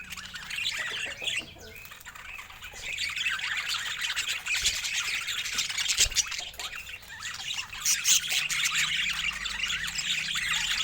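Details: A group of budgerigars keeps up a steady, high warbling chatter of short squeaky notes, rising in loudness toward the end, with occasional low knocks.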